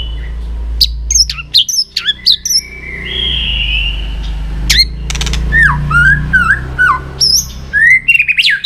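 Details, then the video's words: White-rumped shama song used to stimulate and train other shamas to sing: varied whistled phrases with sweeping notes and sharp clicks, a sustained whistle near the middle, busy rising and falling notes toward the end, low background hum. "Chòe Lửa Hót Nhiều Giọng, Luyện Chòe Lửa Hót Căng"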